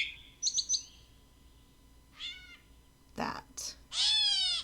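A Gray Catbird gives a harsh, nasal, cat-like mew that slurs slightly downward, after a few quick chips and a shorter mewing note. A brief burst of noise comes in between.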